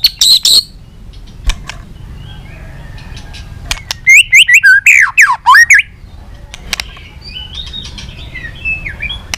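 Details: White-rumped shama, heard during a recording meant to stimulate shamas to sing: a few sharp notes and clicks, then a brief burst of steep swooping whistles, with a faint wavering phrase at the end.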